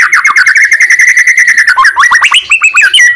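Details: Shama, the white-rumped species, singing loudly to provoke rivals into song: a fast trill of repeated whistled notes on one pitch, shifting to jumpy rising and falling whistles near the end.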